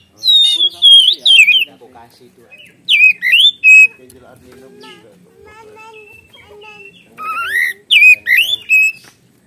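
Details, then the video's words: Oriental magpie-robin, gacor ngeplong lure song with loud wavering whistles in three groups, separated by softer mutters and low chatter. "Kacer Gacor Ngeplong Full Isian Suara pedas"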